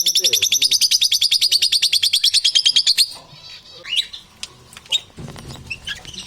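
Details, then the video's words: Lovebirds give a fast, shrill chatter of about ten harsh chirps a second for three seconds, then scattered squeaks and crunching noises. "Strange sounds and the crunch of inseparable parrots"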